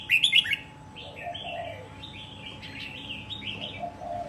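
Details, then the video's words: Wild-caught red-whiskered bulbul, kept a year and said to be ready for singing contests. Bright chirps come first, then a run of short, warbled, slurred whistles over a steady background hum. "chào mào bổi sau một năm có thể thi đấu được"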